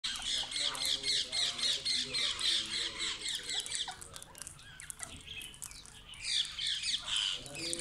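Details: Parrots arriving in the morning near a village: shrill squawking calls in quick repeated bursts, several birds overlapping, with faint background chatter.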